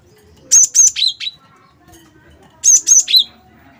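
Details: Wingko-type cinereous tit in lively song, played to prompt other birds to sing: two phrases of three or four clear high whistles, each phrase ending on a lower note, roughly two seconds apart.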